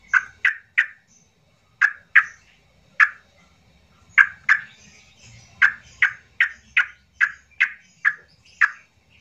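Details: Yellow-vented bulbul giving excited, emotional calls meant to provoke silent birds into song: a steady string of loud, abrupt chirping notes in short bursts, repeated throughout with brief gaps.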